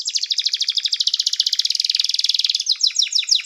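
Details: Canary song used to call other canaries to sing and to train them: fast trills of high chirps repeated about three times a second, shifting midway into a slower run of downward-sweeping notes.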